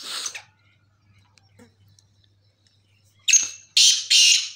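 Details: Black francolin giving three loud, harsh, grating bursts in quick succession near the end, after a brief soft note at the start and a quiet low hum. The room is otherwise silent.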